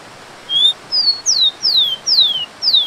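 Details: Rufous-collared sparrow near a waterfall: a short run of clear, high whistles, one level note, then five downslurred notes about every half second.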